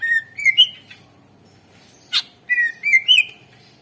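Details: Greater green leafbird song played to make other birds sing: two clear phrases of rising, slurred whistles ending in a bright note, separated by a single harsh burst.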